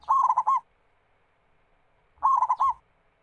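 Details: Singing local zebra dove, a lure recording meant to spur other doves to call: two bubbling, trilled coo phrases about two seconds apart, clear against silence.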